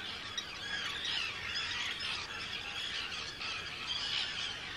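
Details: Hundreds of Arctic terns calling at a breeding colony on Rottumerplaat, the Netherlands, on 4 June 2023: a steady wall of shrill, grating cries from many birds at once.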